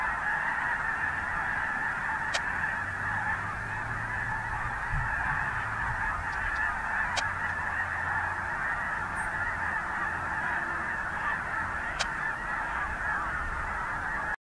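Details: Large snow goose flock on the Richmond marsh, Vancouver, British Columbia, 25 December 2018, winter. Steady, dense clamour of overlapping honks throughout, with a few sharp clicks and a faint low rumble beneath.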